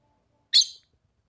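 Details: Single sharp, high chirp from a female red-cowled cardinal in the summer caatinga of Brazil's northeastern sertão, calling to stimulate the male; a brief bright note that fades quickly into silence.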